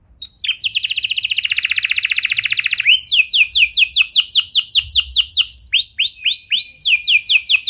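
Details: Canary lure song meant to make other canaries join in: a very rapid high buzzing trill held for over two seconds, then a slower run of bright downward-sweeping notes and looping slurred phrases.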